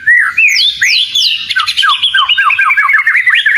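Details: Oriental magpie-robin (kacer) belting out lure song: three clear descending high whistles open the phrase, followed by a fast run of rhythmic chattering notes repeated many times per second.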